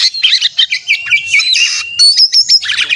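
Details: Contest-simulation recording of white-rumped shama in combative mood, meant to spur a caged bird to sing; rapid varied phrases of buzzy chatter, sharp chips and clear whistled notes, delivered in quick bursts with brief pauses, possibly several birds.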